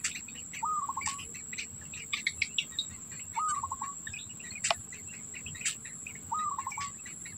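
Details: Black bittern at the nest, the adult holding food for its chicks; three brief rolling stutters spaced about three seconds apart, with clicks, high chirps and a constant insect drone behind.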